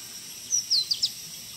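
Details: Red-breasted parakeet in Assam forest, India, calling while foraging: a quick series of four high, thin, downward-sliding notes within half a second, set against steady background insect hiss.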